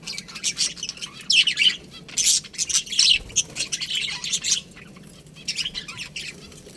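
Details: Colony of budgerigars chirping together: dense, overlapping high chirps and squawky chatter in bursts, several birds calling at once with brief quieter gaps.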